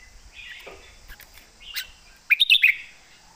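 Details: Short passage from a competition red-whiskered bulbul: a slurred whistle, a brief pause, then four loud rapid sharp notes in quick succession.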